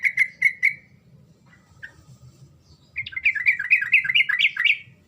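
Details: Sooty-headed bulbul singing loudly, a song meant to set silent birds answering: three clear bubbly notes, a short gap with one chirp, then a fast, tumbling run of about a dozen warbled notes.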